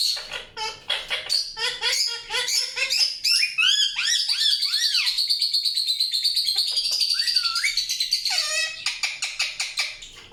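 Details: Indian ringneck parakeet chirping in a rapid, busy stream: clipped staccato notes at first, then looping arched whistles over a steady harsh buzz, ending in scratchy repeated chatter.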